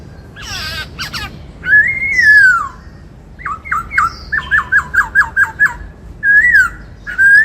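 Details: White-cheeked laughingthrush singing in the 'bắt cô trói cột' style: loud whistled slurs rising and falling, then a quick run of about eight sharp downslurred notes, followed by more drawn-out whistles.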